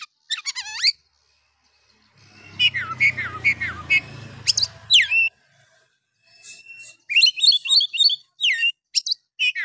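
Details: Oriental magpie-robin song in harsh 'nembak' style, meant to rouse rival males: rapid varied whistled phrases and sharp chips, with a low rumbling noise underneath the middle section.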